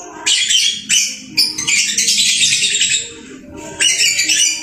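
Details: House lovebird singing diligently, long scratchy high twitter with squeaky notes, a pause, then a fresh burst of chatter.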